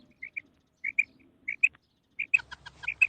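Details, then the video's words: Female quail calling: short paired chirping notes repeated at irregular intervals, followed by a rapid burst of clicking, ticking sounds near the end. "مادی بٹیر کی 7 منٹ والی آواز / Female Batair Sound"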